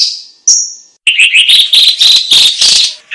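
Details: Chinese leafbird, known locally as cucak ijo cina or cucak cungkok, singing actively: a fading high note and a brief steady whistle, then a run of loud squeaky chirps and bright notes. Each note is sharply accented.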